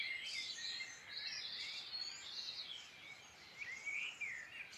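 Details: Birdsong from the Midlands of Ireland: a dense, distant chorus of many small birds, with overlapping high warbles, chirps and short rising whistles running continuously over low environmental hiss.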